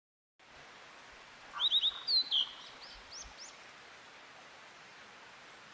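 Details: Wild niltava giving a short burst of high, thin whistled notes, three quick rising slurs then a couple of downslurred phrases, over steady background hiss.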